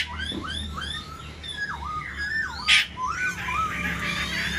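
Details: Caged black-throated laughingthrush fanning wings and tail, singing a string of swooping whistles that dip and rise, repeated in quick succession, with one sharp click midway.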